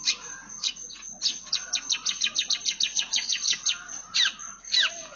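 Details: A long-tailed shrike sings hard, its phrases full of copied house sparrow chirps: a rhythmic string of crisp, falling chirps, then two louder harsh squeaky notes set apart near the end.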